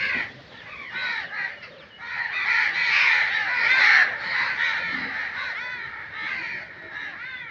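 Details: Crows in nature calling in a busy, overlapping chorus of hoarse caws, swelling louder in the middle and trailing off in scattered notes.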